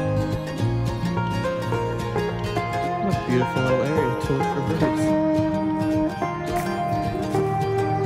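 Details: Plucked string music with sustained tones and a faint voice, no animal sound heard.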